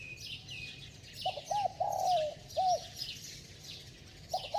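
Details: Fast cooing from a bell-voiced spotted dove, meant to excite decoy birds. One clear phrase: two short coos, a long sliding coo falling in pitch, and a short closing coo. The next phrase starts at the end, over busy chirping of small birds.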